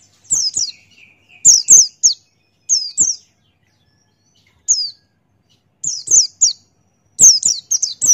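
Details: Male Buxtoni white-eye singing in the 'ngalas buka paruh' style: bursts of rapid, piercing downward-sliding whistles in clusters of two to four, with a soft, steady lower tone briefly underneath near the start.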